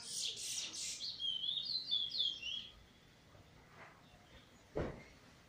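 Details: Eurasian bullfinch singing soon after molt, 1 January 2022, with its 'weet teeture' flute roll: quick high chirps followed by warbled whistled notes, then quiet with a single sharp knock.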